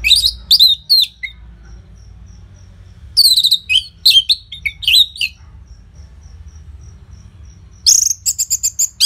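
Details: Orange-headed thrush delivering loud song with pauses, used to encourage caged birds to sing: clusters of high slurred whistles and chattering notes separated by silent gaps, ending in a fast series of short sharp notes.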